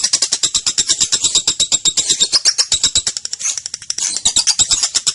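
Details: Unbroken, rattling ngekek chatter from a young female lovebird: dense, rasping ticks repeated fast and fairly evenly for five seconds, meant as a master sound for training other lovebirds.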